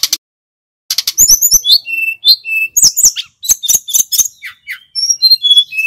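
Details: Snowy-browed flycatcher singing continuously, used as a lure to train other songbirds: rapid high, thin chirps, sweeping whistled slurs and short buzzy trills in quick bursts, with brief pauses between phrases.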